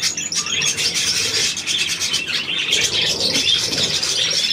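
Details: Budgerigars chattering in a dense, rapid stream of scratchy chirps and squeaky notes, with a busy, overlapping texture throughout.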